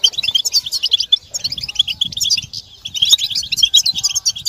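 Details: Several European goldfinches in a group chorus used to stimulate males to sing: dense, rapid twittering and tinkling notes, high and jumbled, with a brief lull midway and faint low rustling.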